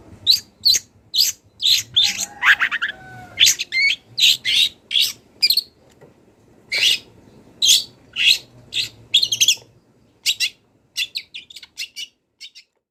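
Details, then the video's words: Song of a wild long-tailed shrike for training songbirds: a long run of short, sharp, scratchy chirps about twice a second, with a brief warbled phrase early, a pause midway, then fainter thin notes at the end. "CENDET GACOR BONGKAR ISIAN | MASATERAN CENDET BURUNG LIAR"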